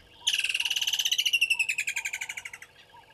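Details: Water thick-knee calling at a waterhole on Djuma Game Reserve, Sabi Sand Wildtuin, South Africa, 09:09 on 25 December 2021: a rapid, even series of about thirty loud piping whistles that gently drops in pitch and fades, with soft low warbles behind.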